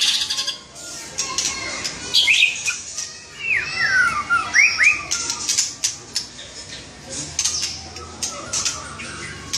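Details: White-rumped shama in lively gacor song: a cluster of quick slurred whistles that rise and fall, followed by scattered chips and clicks.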